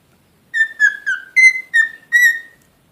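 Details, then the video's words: Pet cockatiel whistling six clear tonal notes in quick succession, each around the same mid-high pitch with slight rises and falls, in a quiet indoor setting. "#talkingparot #cocktailparrot"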